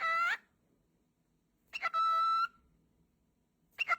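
A cockatiel gives short harsh bursts and one long, steady, clear whistle, then breaks off.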